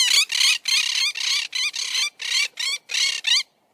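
A monk parakeet gives harsh, grating screeches, about ten rapid squawks in under four seconds, loud and raspy with no other sounds.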